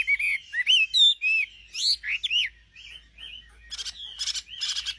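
A nightingale sings a rich, varied phrase: clear slurred whistles rising and falling, then a run of harsh, buzzy churring notes. No other sounds.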